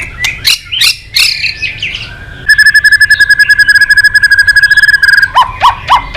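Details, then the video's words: White-rumped shama song packed with mimicry fill-ins, played to excite other shamas: opening varied whistles, then a long fast rattling trill of about thirty even notes, ending in upslurred chirps. "Murai batu gacor isian super lengkap"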